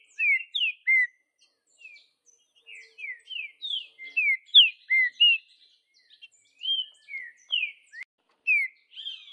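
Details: Vidigal-style song of a wild Green-winged saltator in the bush: repeated loud whistled phrases of rising and falling slurred notes, delivered in quick bursts with short pauses between groups.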